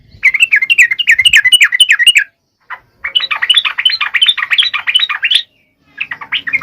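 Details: Yellow-vented bulbul singing briskly, used to provoke males into song: long bubbly runs of quick, looping warbled notes in three bursts separated by short gaps.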